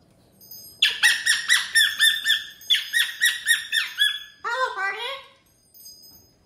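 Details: Pet cockatoo performing energetically on a TV stand indoors: a fast series of about fifteen loud, harsh squawks in an even rhythm, then a lower, gravelly voice-like chatter.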